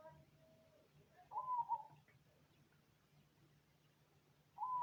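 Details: Cemani-type zebra dove cooing: a gentle, trilled coo phrase with a small break partway through, then a pause before the next phrase begins at the end. A steady low hum runs underneath.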